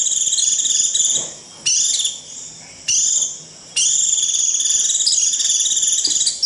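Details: Japanese white-eye giving shrill 'rít' flock calls: sustained, high, sizzling trills with bright overtones, repeated in bursts of one to three seconds separated by short quiet breaks.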